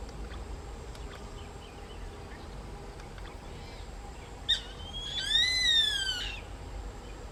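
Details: White-eyed buzzard, a male calling to entice the female while a pair performs a mating display: one loud, drawn-out arched whistle with rich overtones, rising then falling over about a second, after a brief sharp click, over steady low background hiss.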